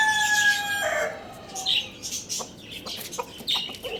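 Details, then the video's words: Morning crow of a Lohmann Brown rooster at Lalukhet bird market. The loud, harmonic end of a crow drops to a lower held note, followed by short clucks and chirps from other birds nearby. "Rooster Crowing Sound Effect"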